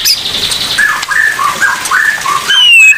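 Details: Oriental magpie-robin of the 'pastol' type singing its 'tembakan maut' song: short whistled phrases rise and fall in a steady chain, ending in a long high slurred whistle, over a constant hiss like rain.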